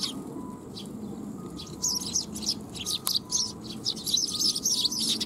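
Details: Eurasian tree sparrows coming for food at a Tenmangu shrine, Japan, 12 July 2021; several birds give fast, busy high chirps in quick runs, with a faint low hum behind.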